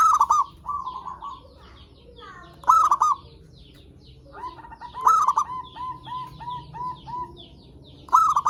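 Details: Zebra doves used to lure and stimulate others: stuttering cooed phrases recur about every two and a half seconds, interleaved with a second bird's long descending string of evenly spaced coos.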